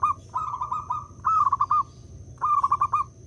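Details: Local zebra dove lure song to trigger other perkutut calling: a softer rolling coo followed by two loud phrases of rapid staccato notes about a second apart, with a faint constant high-pitched tone.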